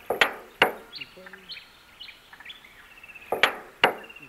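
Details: Male musk duck giving its display: loud, sharp knocks in quick pairs near the start and end, with thin piercing whistles and short clipped notes between them.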